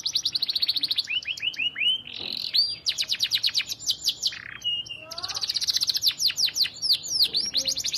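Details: Canary singing nonstop, song meant for training other canaries: loud, rapid trills of repeated high notes, rolling slurred sweeps and buzzy phrases in quick succession, with brief pauses between bursts.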